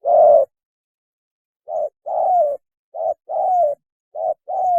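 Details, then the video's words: Spotted dove mating call used to attract birds for trapping: one long hoot, a pause, then three pairs of a quick coo followed by a drawn-out, gently downslurred note. "PANGGILAN KAWIN...!!! SUARA BURUNG TEKUKUR TERBAIK"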